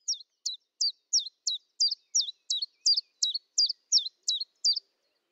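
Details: Common chiffchaff by a kitchen window in Eibar, early March 2018, singing a rapid run of about fourteen sharp, high notes that each fall steeply, delivered almost three per second in a steady rhythm.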